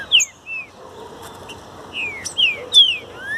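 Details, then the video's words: Green-winged saltator singing outdoors in nature: a few clear, loud, down-slurred whistled notes spaced irregularly over a quiet background. "TRINCA FERRO . TREINAMENTO NA NATUREZA"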